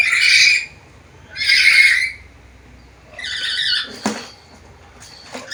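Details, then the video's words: Black-capped lory, a bird able to talk, gives two strong, rasping squawks, then a softer squawk mixed with knocking and rustling sounds. "MASTERAN BURUNG NURI KEPALA HITAM GACOR BISA NGOMONG SUARA BERVARIASI"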